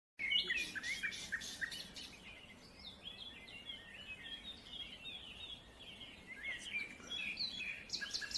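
Crimson-mantled Woodpecker: a burst of harsh, rapid notes, then a long run of thin, squeaky chirps at a high pitch, several each second.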